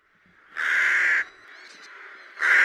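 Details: Rook giving two loud, harsh, drawn-out caws, the first lasting over half a second, the second cut off at the end, with a faint rasping call between them.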